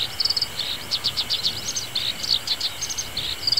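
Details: Black-browed reed warbler in a reedbed as summer begins, giving a rapid, chattering stream of shrill, clipped notes over a steady engine drone from nearby mowing.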